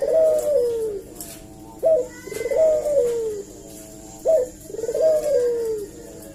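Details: Barbary dove used as a lure to provoke a reply: three loud coos, each a sharp rising note then a long falling purr near mid pitch, repeating about every two and a half seconds, with a faint steady hum behind.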